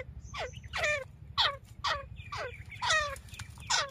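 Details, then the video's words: Grey francolin hen calling in Layyah, Punjab, Pakistan, a call used for hunting: loud, ragged notes slide steeply downward, about two each second, with some overlapping, and a constant low drone underneath. "تیتر کی آواز شکار ویڈیو مادی کی آواز"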